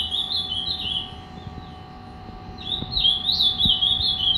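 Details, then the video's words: Ultramarine grosbeak, a three-year-old young bird described as angry and of fibra temperament, kept in captivity; two bursts of fast warbled, whistled phrases with a gap between them, steady faint hum underneath. "Azulão zangado show a parte."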